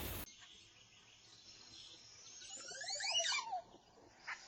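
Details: Montezuma oropendola (Psarocolius montezuma), call.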